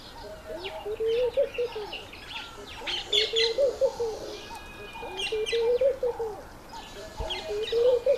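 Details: Laughing dove in courtship display, trying to get a female's attention, gives soft, bubbling low coos in rolling phrases about every two seconds, while other small birds chirp and twitter higher in the background.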